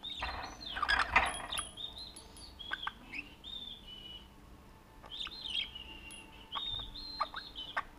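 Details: Pet blue budgerigar inside its cage, recorded in January 2016 with a camera placed in the cage, ringing a bell to play with its owner: a clattering bell jingle early, then thin, high whistled chirps, some slurred and drawn out.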